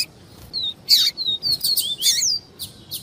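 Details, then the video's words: Double-collared seedeater singing the viviti song type, with female calls: clear high whistled notes, some sliding and slurred, broken by brief buzzy chirps and a short burst of rapid twittering. "PAPA CAPIM VIVITI E PIADO DE FEMEA"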